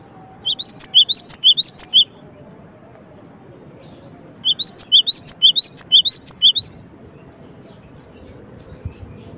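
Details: Two separate bouts of crisp, high-pitched chirping from a gelatik batu, the cinereous tit, each a fast even run of about ten notes, with near silence between and after.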